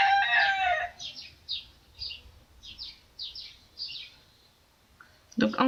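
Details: Rooster crowing in the background in a small countryside village: a loud, harmonic, strained crow fills the first second, followed by a run of short, high, down-slurred chirps from small birds and a brief burst of sound at the end.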